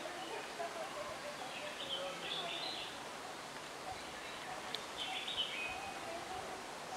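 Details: An Indian blackbird (Turdus simillimus) at Nandi Hills, India, gives two short bursts of warbled, mid-high notes a few seconds apart, over a steady hiss of background noise.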